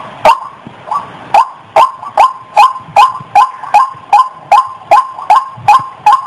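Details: White-breasted waterhen call played as a trapping lure: a regular series of loud, hoarse, upward-inflected notes, about two or three each second, steady and evenly spaced over a faint rough background.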